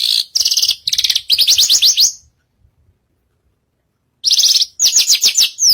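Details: Javan bushlark (branjagan) on a stage in full song: dense bursts of fast, grating high trills and rapid slurred notes, a pause of about two seconds, then more rattling trilled phrases.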